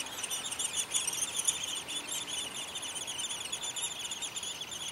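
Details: Downy Woodpecker nestlings in a tree-hole nest in spring, fed by both parents, give a steady, high, buzzy squeaking chorus without pause, shrill and continuous over a faint background hiss.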